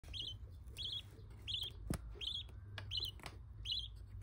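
A week-old budgerigar chick gives short, high, raspy cheeps about every three-quarters of a second, with a low background hum and a few clicks.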